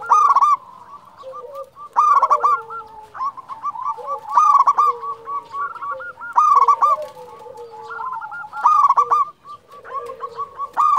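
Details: Energetic champion local zebra dove repeating loud bursts of rapid, bubbling coos about every two seconds, roughly six phrases, backed by constant softer cooing of other doves.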